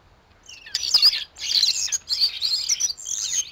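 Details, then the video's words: Squabbling common starlings at a garden feeder, Théding, 14 December 2022, in winter: loud, grating, high-pitched chatter in three or four harsh bursts, each under a second, almost without gaps. "Les chamailleries des étourneaux"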